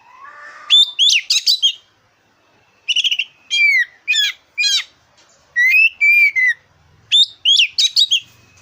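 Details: Oriental magpie-robin, black-breasted form, singing as a lure for contest birds: dense, rapid sequences of sharp whistled and rising notes in repeated bursts, with a brief low rumble near the end.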